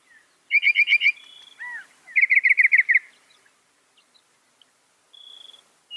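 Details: Northern mockingbird, a mimic said to copy some 200 sounds, singing: a fast run of five bright repeated notes, a thin level whistle, a falling slur, then another rapid string of seven notes and a later steady whistled tone.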